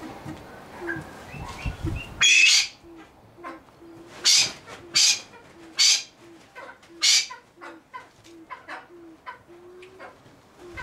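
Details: Silver pheasant (Lophura nycthemera) at a pheasant breeding farm gives soft, low hooting notes repeated about twice a second, broken by several loud, harsh, rasping bursts.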